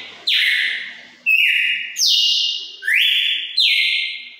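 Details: Red-cowled cardinal singing a wild-type song style of five notes ending in a 'turril' phrase, from a Pernambuco, Brazil lineage; five loud, clear whistled notes, each a long slur gliding downward, delivered about one per second, with a quiet background.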